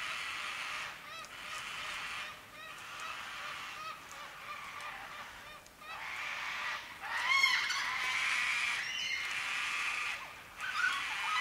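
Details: White-tailed black cockatoos in forest at Lane Poole Reserve, Western Australia: distant, drawn-out wailing calls about once a second, harmonic and somewhat nasal, over a steady hiss of background noise.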